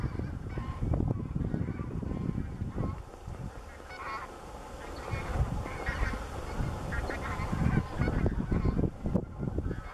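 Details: Flushed by many gunshots, a flock of taiga bean geese flies over the Slamanan Plateau in Scotland, 16 November 2017; dense, repeated nasal honks overlap continuously, about two per second, with strong low wind rumble beneath.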